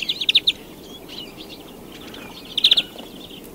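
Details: European greenfinch uttering two short clusters of bright, quick trilled notes, separated by softer chatter, against a noisy outdoor background.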